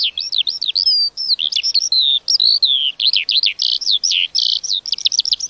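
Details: Song of a lark: a hurried, unbroken chatter of high twittering notes, sharp slurs and brief buzzy bursts, with no pause across the phrase.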